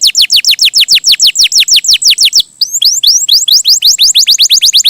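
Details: Loud canary song: quick repeated falling whistled notes, a brief gap, then a chattering mix of high descending and rising notes at a fast pace.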